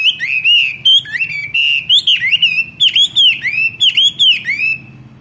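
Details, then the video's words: Caged Chinese hwamei during a daily 15-minute morning singing-training session, delivering loud, clear whistled phrases: rapid rising and falling slurred notes repeated in a steady rhythm, with faint low background hum. "Luyện hót cho họa mi mỗi ngày 15 phút vào buổi sáng đối với chim chơi giàn cứng"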